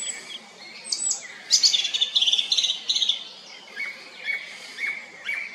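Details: Song thrush song: a rich burst of rapid, high twittering notes, then short lower whistled notes repeated several times about half a second apart.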